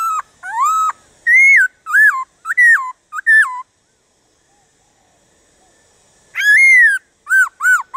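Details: Black-throated laughingthrush song used to stimulate wild-caught laughingthrushes: a run of loud, rich whistles rising and dipping, a silent stretch, then a long bending whistle followed by short upward-curving notes.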